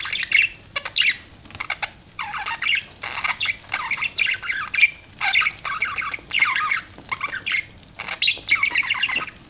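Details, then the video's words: Budgerigars kept as pets chatter in steady bouts of harsh, warbled chirps. Clusters of quick notes come roughly every half second to a second, with a few brief gaps. "BUDGIES CHIRPING SOUND"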